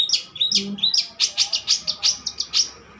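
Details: Handsome adult long-tailed shrike singing steadily: a quick series of sharp, high, clipped notes, about three a second, after a short whistled opening.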